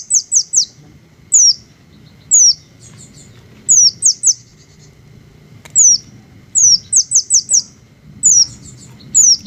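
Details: Green hummingbird calling: thin, high, downslurred chips given singly or in rapid runs of three or four, separated by brief silences over a quiet low rumble.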